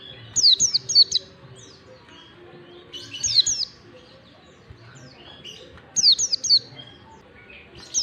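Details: Oriental white-eye song of the 'ngalas standar panjang' type, played as a lure for young white-eyes learning to sing: three high, twittering bursts of quick downward-sweeping whistles about three seconds apart, with faint low background hum.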